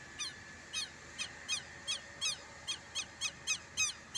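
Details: Southern lapwing on a rural smallholding in Brazil, calling at the person visiting; sharp harsh notes with a downward-curving edge, repeated about twice a second in a steady series over faint background hiss.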